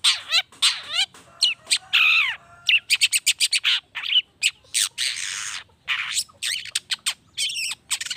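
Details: Lure song of a long-tailed shrike, meant to rouse other shrikes to sing at once: a rapid, varied jumble of scratchy chatters, sharp clicks and slurred downward whistles, nearly continuous with short gaps.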